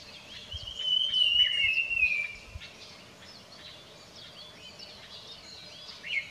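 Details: Birds singing early in the morning: one clear whistled note, sliding gently downward for about a second and a half, then scattered short high chirps and twitters over a faint low background rumble.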